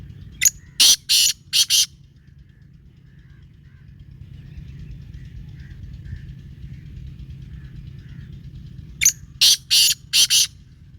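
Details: Black francolin calling: two harsh, grating phrases of about five rasping, buzzy notes each, roughly eight seconds apart, with quiet low rumble between.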